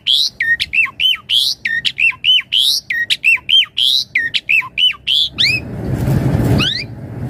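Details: Javan pied starling pumping out a full, varied song used as master and lure: rapid runs of ringing, downslurred whistles repeated in tight bursts, ending with a harsh rushing noise and a final rising note.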